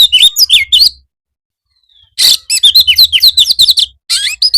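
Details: Oriental magpie-robin (kacer) in full energetic song, used as a master recording to prompt kept birds to answer in the afternoon: rapid bursts of sharp whistled, chirping and slurred notes, a short pause, then a longer dense chattering run.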